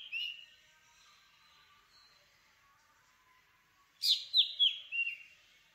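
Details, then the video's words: Black drongo gives one short, harsh, high note, then after a pause a quick burst of four loud, metallic, slurred notes, against an otherwise quiet background. "Black Drongo Song ! Black Drongo Call ! Black Drongo Sound ! Black Drongo Vocals ! Voice ! Singing"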